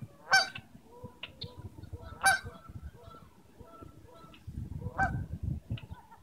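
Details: Canada geese living in a city give three loud, harsh honks roughly two seconds apart, with softer nasal calls between them over a low background rumble.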